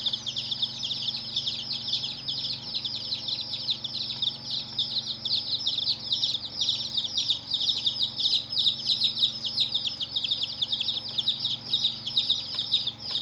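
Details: Many colored chicks chirping in an unbroken chorus of shrill, falling peeps, densely layered and steady throughout, with a low constant hum in the background.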